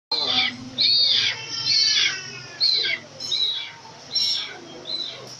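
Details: Hornbill at a restaurant in Little Baguio, giving loud, harsh, drawn-out squealing calls about once a second, each note sliding downward, with a low hum beneath.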